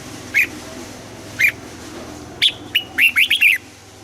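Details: Red-whiskered bulbul in morning song training, two isolated chirped notes followed by a bright whistled phrase and a rapid burst of four warbling slurred notes; steady low electrical hum in the background.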